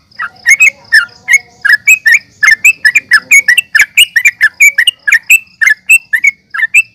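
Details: Excited sooty-headed bulbul fighting calls, meant to make other bulbuls respond: an unbroken string of loud, sharp chirps and chatters, roughly four per second, bright and squeaky throughout.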